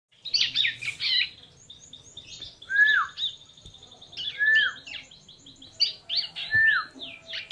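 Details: Tame bar-winged prinia, hand-reared by hand-feeding, giving bursts of sharp high chirps and short down-slurred whistles in uneven clusters with brief pauses between them.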